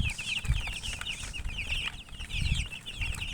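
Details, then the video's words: Chirping chickens, described as coloured birds with a hen: many high peeping notes tumbling over one another continuously, with low thumps and rumbling handling noise underneath. "silly chicken chirping sounds with murgi hen color chicken"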